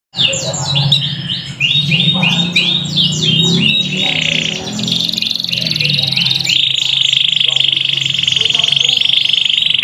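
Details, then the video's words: Young local canary sunned in the morning, a loud bird, singing fast downslurred whistled notes that give way to a long steady buzzy trill, with low background hum throughout. "RIWIKAN KENARI LOKAL DI PAGI HARI // TERAPI JEMUR CANARY"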